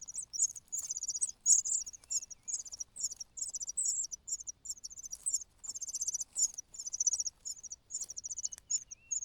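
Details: Cuckoo chick crying from hunger beside well-fed host nestlings, giving a dense, quieter stream of shrill, rapid chittering notes, almost continuous over nine seconds with brief gaps.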